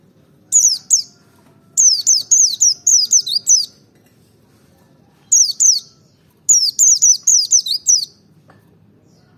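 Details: Merapi white-eye singing in double ngalas style to provoke singing: two long volleys of rapid, shrill, downward-sweeping whistles, about four per second, with short silent breaks between phrases.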